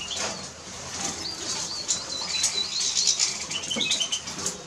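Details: High-pitched twittering of a Eurasian siskin, quick chattering notes run together with a brief trill toward the end, over steady rustling and soft tapping.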